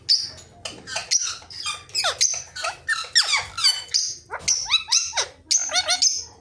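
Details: Rose-ringed parakeet talking: a rapid run of varied high chirps, squeaky whistles and falling slurred notes, with short busy bursts packed close together and a faint low hum underneath.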